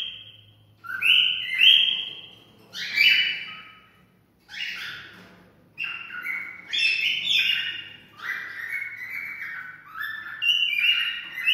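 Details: Cockatiel song meant to stimulate mating, a long run of clear whistled phrases, each a quick upward slide ending in a held bright note, repeated about every second with short pauses.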